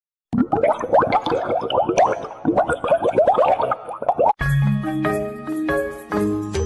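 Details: Bouncy children's-style music of quick plucked, boinging notes, then a brief break and a held, chord-like electronic passage; no animal calls.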